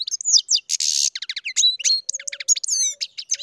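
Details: Captive-bred European goldfinch singing: fast, varied twittering of sharp chips, buzzy notes and short descending slurs, with a brief harsh rasp and a faint low hum in the background.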